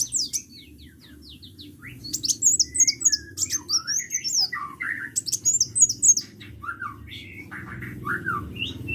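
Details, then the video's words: Excited sunbird chatter of scattered high chirps, sharp squeaks and short downslurred whistles, irregularly spaced, over a steady low room hum. "KICAU BURUNG KOLIBRI GACOR"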